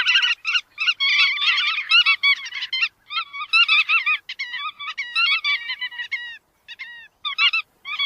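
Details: Chắt đuôi vằn bird giving a fast run of nasal, harmonic-rich chattering notes in dense bursts during the first three seconds, then scattered short phrases with brief pauses; no other sounds are heard.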